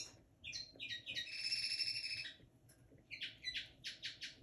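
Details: Linnet hybrid from 2022 at the beginning of its song: chirps build into a sustained bright trill, a short pause, then a string of sharp repeated twittering notes.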